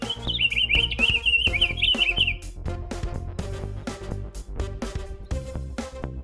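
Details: Pine Grosbeak, a winter finch seen as a pair near a lodge at Emerald Lake, giving its loud warbling song, a high phrase of quick rising and falling notes for about two seconds, over steady background music.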